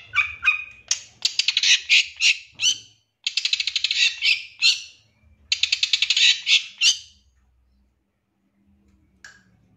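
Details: Untrained long-tailed shrike calling as a lure to provoke fast, excited singing. It gives rapid buzzing rattles of harsh notes in three long bursts, about three per second within them, then near silence with one short note.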